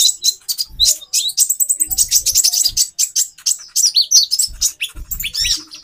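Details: Busy, high-pitched chattering and twittering from a captive female konin meant to raise the male's mating drive, almost nonstop with sliding squeaky notes.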